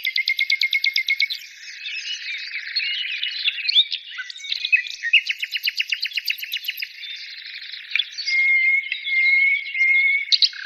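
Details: Several birds singing at once: opening with a fast, evenly spaced trill of high notes, then mixed warbling and twitters, another rapid trill midway, and a long thin steady whistle near the end.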